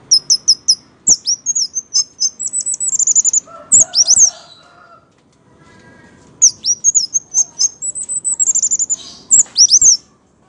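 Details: Orange-headed thrush in full 'gacor' song, a fast, varied run of very high chirps and twittering trills. A short pause with lower buzzy notes comes in the middle, then the rapid high phrases start again.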